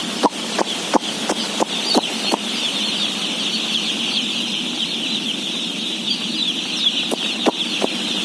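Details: Day-old chickens, about 17,000 birds, during feeding: a dense, continuous chorus of high peeping from countless chicks, with sharp clicks or knocks scattered through it, several close together early and a few more near the end.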